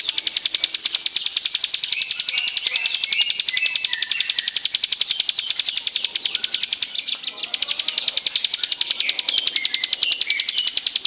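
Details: Bar-winged prinia song, played as a lure to get silent, sluggish birds singing. A dense, fast, steady stream of high buzzy pulsed notes runs throughout, with short clear whistled phrases laid over it, including a brief pause near seven seconds.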